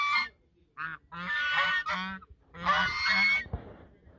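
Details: Duet of geese at the Sosúa river mouth, Dominican Republic: a short honk, then long, raspy, blaring calls that overlap and swell, pausing briefly before another loud drawn-out burst.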